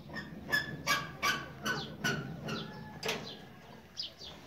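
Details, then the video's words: Captive Grey francolin calling: a run of loud, sharp, harmonic notes repeated roughly every third of a second, with strong clipped syllables early that fade to softer, spaced notes, and faint background rustling. "grey farncolin"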